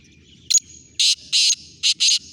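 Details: Black francolin calling: a short harsh note followed by four loud, grating, buzzy bursts in an uneven rhythm, with a faint steady high hiss between them.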